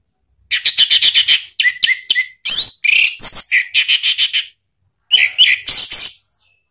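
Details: Orange-headed thrush in ngeplong lure song, aimed at making a caged thrush respond: dense rapid chattering bursts mixed with short clear whistles, three long runs separated by brief pauses.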